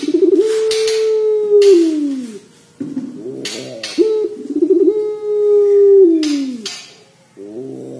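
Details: Vocal Barbary dove repeating its long cengkok panjang coo: two sustained, level, purring coos, each about two seconds, each falling away at the end. Short harsh noise bursts separate the phrases.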